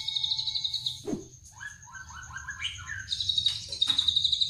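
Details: White-rumped shama arranging its song: a high thin whistle held near the start, then a quick run of short stepped notes, and a loud high trill returning at the end, all over a low steady hum.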